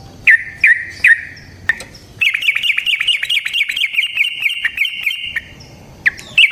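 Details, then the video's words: Yellow-vented bulbul singing to lure others: several separate slurred chirps, then a long fast rolling run of repeated bubbly notes for about three seconds, ending with more single chirps. "Suara Burung Trucukan GACOR ROPEL Panjang Ampuh Untuk PANCINGAN TRUCUK"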